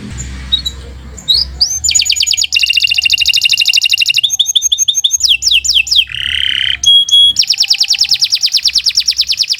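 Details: Long-singing canary recorded as a master for training other birds, delivering rapidly changing tours: fast pulsed rattling trills, quick bubbling phrases, a low buzzy burst and ringing notes, ending in an extended rapid trill.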